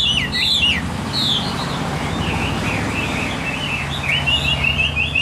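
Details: Chinese hwamei, an old wild-caught songbird, whistling looping, wavering phrases over a steady low rumble of traffic or engine noise.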